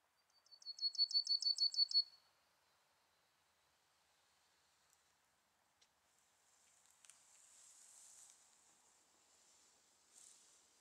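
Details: Yellowhammer, a bunting, delivering a fast rattle of about ten high repeated notes lasting under two seconds, without the closing drawn-out note; a soft hiss and faint clicks follow.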